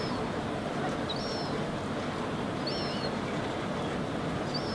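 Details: Young herring gull on the ground, Helsinki, Finland, August 2016, gesturing and observing its surroundings. Three thin, high, slightly falling whistles sound about every two seconds, partly buried under continuous heavy low-pitched rumbling background noise.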